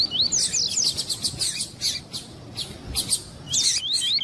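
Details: Male double-collared seedeater warmed up by a calling female, as used by breeders for tournaments: dense bursts of high chirps and rising slurred whistles, busy and overlapping, with a run of whistled upslurs near the end.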